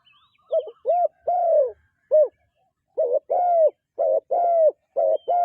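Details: Dove cooing in short bursts: arched, hollow tonal notes, some clipped and some drawn out, given in uneven clusters with brief pauses between and no other sounds.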